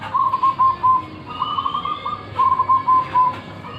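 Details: Local zebra dove with a big voice: rapid beaded cooing phrases, a quick run of short notes ending in a longer hoot, then a trilled stretch and another beaded phrase, over steady background hiss with a faint high whistle from another bird.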